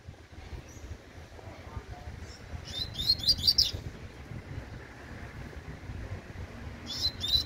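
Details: Young coleiro, described as a fledgling, giving short bright upslurred high notes in two bursts, a quick cluster of four near the middle and a pair at the end, over low rumbling background noise.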